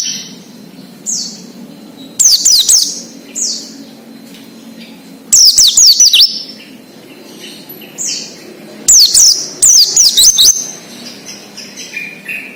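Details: Oriental white-eye singing wild in its natural habitat, recorded as a lure to prompt captive birds: bursts of high, rapid, descending whistled notes in three clusters, separated by quiet gaps with faint falling chirps and a low steady hum.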